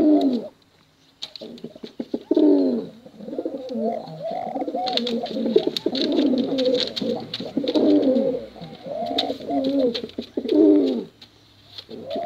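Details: Male and female contest pigeons cooing at length: deep, rolling, throaty coos repeat almost continuously with short rising tonal notes between them, over sharp ticking clicks.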